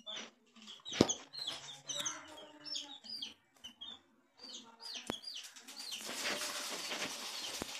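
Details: Coloured baby chickens peeping in a group, many short high descending chirps overlapping, with brief clatter and knocks and a rising broadband rustle near the end.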